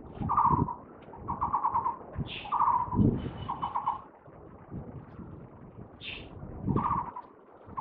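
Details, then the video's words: A Taiwan barbet perched on a cable, recorded 27 July 2023, delivering clear bursts of fast, hollow pulsed notes about once a second, with a few higher chirps from another bird and passing vehicles beneath. "Taiwan Barbet chirping on the cable"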